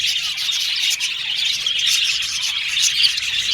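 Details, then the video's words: Budgerigar chatter of contact calls, a busy flock-like mix of quick high chirps, squeaks and warbling notes running without pause. "Happy Budgies Chirping Sound | Budgies Sound For Lonely Budgies Birds"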